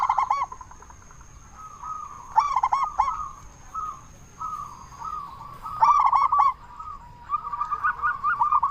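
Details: Zebra dove, local bird with a big voice, calling to lure others: three strong bursts of rapid, hooked coos separated by quieter cooing runs from other doves.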